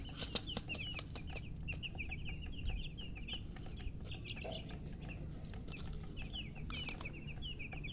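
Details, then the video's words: Newly hatched chicks peep nonstop, shrill short downward-sliding chirps from several birds layered densely, with sharp clicks and knocks and a low rumbling background. "Tot Murgi chicks chirping sounds Just Born Baby Gallina FRACAS Chicks Piar Loudly Sound"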